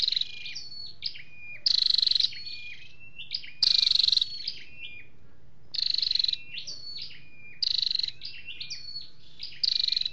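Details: Calls of a flowerpecker pair, male and female, as played to trap birds: runs of quick high chips and falling whistles broken by several loud, grating pulsed buzzes.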